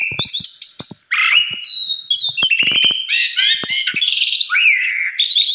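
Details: Javan pied starling singing continuously with many fills, used as a lure: strained, buzzy whistles mixed with rapid clicks and harsh rattling notes, then sliding whistled phrases.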